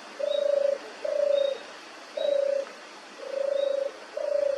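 European turtle dove purring its soft, rolling turrr notes, five low vibrating phrases about a second apart, against a quiet background.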